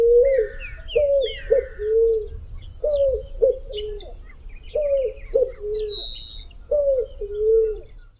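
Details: A Picazuro Pigeon in a city gives deep, mellow cooing phrases repeated in a steady rhythm, with small birds chirping above; Picazuro Pigeon.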